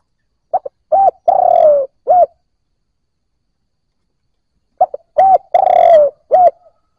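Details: Spotted dove cooing to stimulate newly caught birds: two clear phrases about four seconds apart, each made of two quick short notes, a hooked coo, a long coo sliding downward, then a final short hooked note. Silent between phrases.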